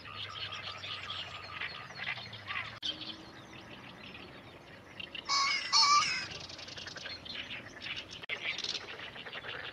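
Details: Male green pheasant (Phasianus versicolor), recorded 28 May 2017 with two males, one near and one far, whose calls overlap; a brief, loud, harsh crowing burst midway, over a steady hiss and faint low hum.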